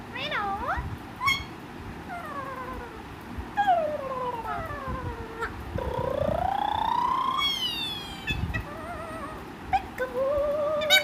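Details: A pet parrot known for talking utters scattered voice-like sounds. Gliding, whiny tones sweep upward, including one long rising wail near the middle, separated by quieter gaps and soft clicks.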